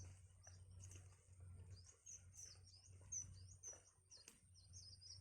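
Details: Young birds in the nest begging as their mother feeds them, giving many faint, thin, high-pitched squeaky chirps in quick irregular succession over a low background hum.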